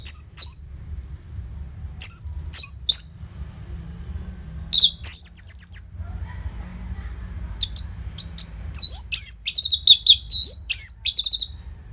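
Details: Orange-headed thrush (anis merah) song used as a lure track to prompt caged birds to sing, Bali: loud, tightly spaced phrases of sharp high chirps and slurred whistles in bursts, with quiet gaps between.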